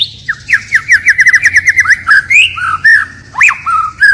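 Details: Forest-style singing by a white-rumped shama that switches phrases continually: a fast run of short, clipped downslurred whistles, then varied looping and upswept whistles with a few high sharp notes.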